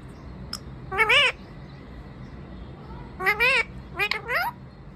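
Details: Talking parrot in a tree, giving a short click, then several nasal, wavering voice-like phrases with zigzagging pitch, spaced irregularly over five seconds.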